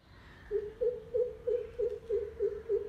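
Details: Greater coucal recorded in the morning on a mobile phone, giving a run of eight deep, hollow hoots, evenly spaced about three per second, over faint background hiss.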